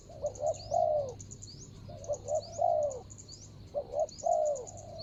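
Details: Ground-decoy spotted dove, 24/01/65, luring a rival: three cooing phrases, each a pair of short rounded notes and a longer downward-sliding coo, spaced roughly 1.5 seconds apart over a light background of high bird chirps.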